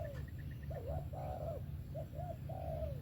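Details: Brief sấm thổ coo of a spotted dove, 'về tàng kèm 123': a rising hoot, a long rolling note, then two quick coos and a final drawn note, with faint ticking chirps and low hum.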